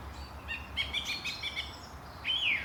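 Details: Birds chirping on a morning at Langley Park, Durham, with a short fast twittering phrase followed by a single loud slurred whistle, low hum beneath.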